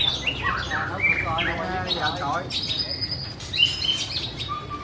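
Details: White-rumped shama singing while dancing: a varied run of sliding whistles and chirps, some rising and falling quickly, with short clear tonal notes near the end over a low background hum.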